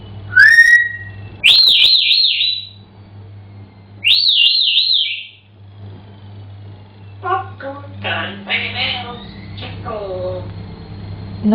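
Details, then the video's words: Pet African grey parrot singing indoors: a rising whistle, then two loud rapid warbled whistle phrases, followed by softer buzzy, speech-like syllables and chirps. "African Grey Parrot Singing"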